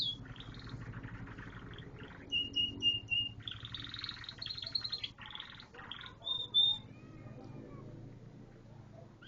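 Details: Canary song with rough rattling trills, short bursts of repeated clear whistles, and a dense buzzy passage, over a steady low background hum.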